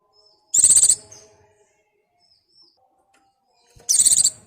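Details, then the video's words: White-eye in breeding condition calling for a mate: two short, very high bursts of rapid chattering notes, about ten per second, separated by a few seconds of quiet with faint soft whistles between. "BURUNG PLECI BIRAHI GACOR MEMANGGIL PASANGAN"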